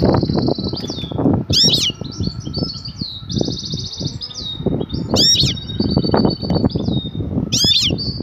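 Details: Batbata of a female European goldfinch calling her mate. Ringing sharp chirps come about every two seconds among buzzy trilled phrases, partly masked by loud, steady low clattering and rustling.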